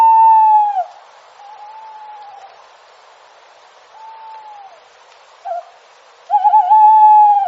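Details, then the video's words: An owl, called a brown bird owl, in a forest at night gives long, steady, mid-pitched hoots with a slight fall at the end; two fainter hoots follow, then a louder pair closes. "BROWN BIRD OWL|FOREST THE OWL IN NIGHT SOUND"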